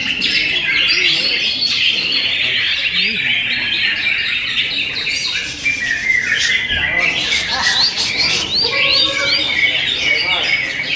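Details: Greater green leafbird singing a prized repertoire: a busy, unbroken medley of high twittering notes, brief squeaks and scattered rising whistles that surges again after a short dip around the middle.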